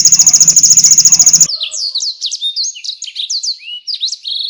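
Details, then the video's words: Vigorous canary singing as a tutor track for competition songbirds, full of konin and blackthroat bursts: a loud, fast pulsed buzzy trill for about a second and a half, then quick high whistled swoops and twittering notes. "KENARI GACOR UNTUK MASTERAN BURUNG JAWARA| full tembakan konin dan balckthroat"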